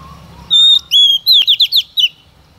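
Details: A female white-rumped shama sings to stimulate males, holding a clear whistle before a quick run of about six loud descending slurred notes; faint low hum behind.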